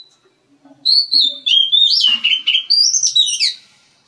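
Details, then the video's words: One of a breeding pair of Oriental magpie-robins in an aviary gives a rapid string of clear whistled notes that waver and slide up and down, with brief harsh chirps between them, fading out at the end. "a pair of birds breeding Oriental Magpie Robin, in aviary"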